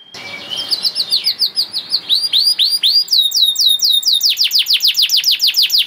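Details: Canary singing a long, lively master song meant to teach young canaries. A rapid trill gives way to rising slurred whistles repeated about three times a second, speeding into a steady run of bright descending sweeps, with a faint background hiss.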